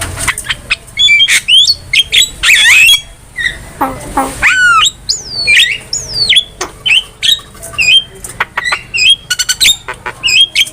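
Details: Javan myna singing for cage-bird training: a long, varied sequence of rasping squawks, swooping whistles and chattering notes, with a fast trill near the end.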